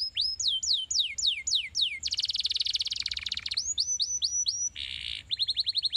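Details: Stimulating canary song meant to make canaries sing: series of descending whistled sweeps, a dense buzzy trill, quicker rising-falling notes, then a harsh burst and rapid chattering tail.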